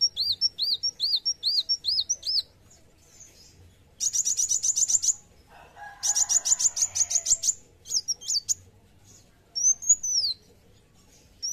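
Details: Olive-backed sunbird in fighting mood sings a run of high arched whistles, then dense buzzy high trills in two bursts, followed by scattered single notes and a thin descending whistle.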